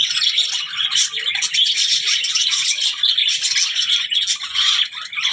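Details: Budgerigar chatter of rapid scratchy warbles and chirps, continuous, with a few louder clicking bursts.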